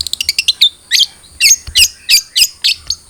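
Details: Long-tailed shrike (cendet trotol) song used to coax a caged bird to sing: a fast stutter of clicks followed by loud, harsh, grating high notes repeated about three times a second.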